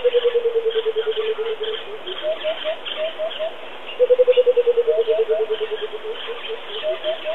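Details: Deep, hollow coucal notes pour out in quick descending runs, interrupted by short groups of three slightly higher notes, against a background of faint bird chatter.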